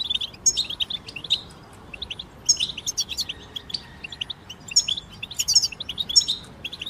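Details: European goldfinch chorus aimed at helping a bird sing through its moult: lively overlapping chirps and buzzy twitters, high-pitched, coming in uneven bursts with quieter gaps, light hiss underneath.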